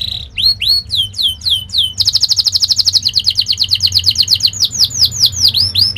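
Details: Fast, sharp canary training song, played so that young canaries learn to sing and roll. Rising and falling high whistles give way to a long, rapid, rattling trill, then slurred down-swept whistles repeated about twice a second.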